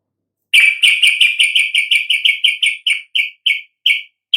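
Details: Yellow-vented bulbul song meant to stir other birds into singing. Rapid, scratchy notes tumble out in a quick series, then slow down, with gaps growing between the final notes.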